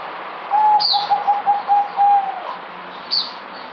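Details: Zebra dove (merbok), a kept bird dated 08052020, singing less than usual: a run of short, clear, pulsed coos on one steady pitch lasting about two seconds, with sharp high chirps from other birds nearby.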